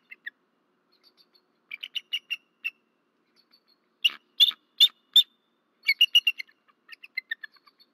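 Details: Male bald eagle calling at night near a nest in Rome, Georgia, 13 March 2024: short runs of high, piping chatter, then a few louder sharp notes, then another fast descending chatter series, with silence between.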